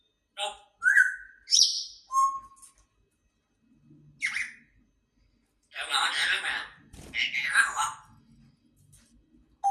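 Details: Pet grey parrot indoors giving short whistled notes and sliding tones, followed by louder, harsh, speech-like phrases.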